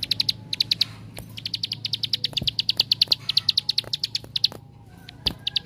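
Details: Bar-winged prinia 'tembakan' song meant to provoke other prinias: bursts of quick, piercing chip notes with short pauses between them, and a few faint clicks in the background.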